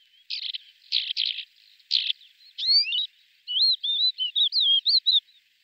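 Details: Male lesser short-toed lark singing in flight, with mimicry: harsh buzzy high chirps at first, then a rapid run of clear whistled, twisting notes with rising and falling slurs, all high-pitched over silence.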